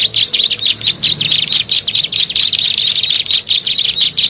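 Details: High, sharp chirps of a bar-winged prinia, used for luring birds, come in quick bursts about one and a half per second, forming a steady, insistent chatter.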